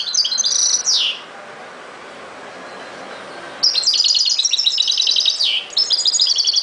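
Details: European goldfinch, ghoroub song style: a twittering phrase closing with a falling buzzy slur, a quiet gap of over two seconds, then a long, dense run of bright chirps with another downward slur.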